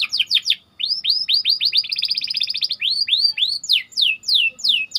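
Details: White canary singing to train other canaries: curved upslurred whistles repeated in series, a short fast buzzy roll in the middle, then louder descending swept notes.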